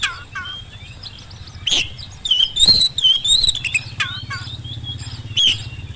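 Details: Oriental magpie-robin song for coaxing silent magpie-robins to respond, indoors or outdoors; softer scattered whistles and descending notes, then a louder middle stretch of warbling and buzzy notes, over a low background hum.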